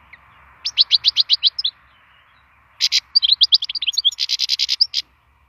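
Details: A wild European goldfinch sings bright, tinkling twitters: a quick run of about ten clipped notes, a pause, then jumbled liquid phrases and another rapid run, over a faint low hum.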